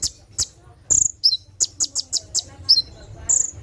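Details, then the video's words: A sunbird (konin) recorded at night gives a rapid, uneven run of very high, sharp ticks and thin piercing whistles, about a dozen notes in under four seconds, over a faint low hum; used as a training recording. "SUARA TEMBAKAN KONIN"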